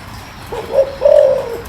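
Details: Low-voiced spotted dove recorded to stir a decoy bird: one short hollow note, then a longer, steady, mellow coo ending with a slight downward slur. Little else is heard.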